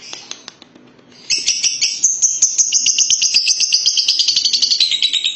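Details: Lovebird delivering a long ngekek trill: a few scattered clicks, then a continuous high, rapid rattling chatter of even pulses lasting about four seconds, gradually dropping slightly in pitch.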